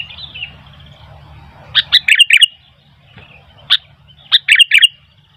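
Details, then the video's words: Sooty-headed bulbul singing while wild bulbuls answer: short bursts of bright, clipped chirps in two clusters separated by a pause, over faint low background hum. "Burung kutilang gacor ..sampai kutilang liar jadi ramai"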